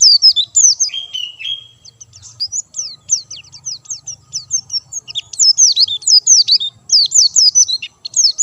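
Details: White-eye, singing hard with no stimulants given, pours out a long run of high twittering notes, a short buzzy note early on, then rapid repeated downslurred chips.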